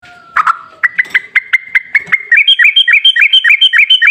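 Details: Sooty-headed bulbul song used as a lure to get a bird that is reluctant to sing to start calling: a long held note, then a run of sharp repeated chirps that turn into quick rising, bouncing notes, roughly three or four per second.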